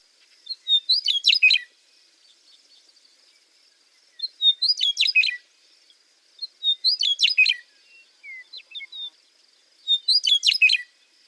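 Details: Western Meadowlark (Sturnella neglecta) song: four rich, flute-like phrases, each about a second long and ending in a gurgling jumble, repeated every two to three seconds over a faint high hiss.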